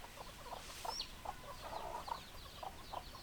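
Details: Hens clucking: short, throaty pulses repeated roughly every half second, some doubled, over steady hiss, with one sharp high squeak near the first second and faint high chirping from other birds behind.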